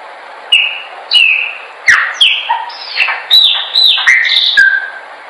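A Chopi blackbird sings a lively run of loud, clear whistles, with sliding and falling notes and sharp clicks, about two phrases each second.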